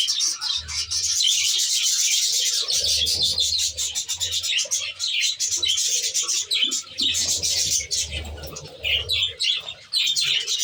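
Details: A crowded budgerigar aviary styled as a nature reserve: long unbroken chorus of fast, overlapping high chirps and warbled chatter, with a low pulsing drone rising and falling.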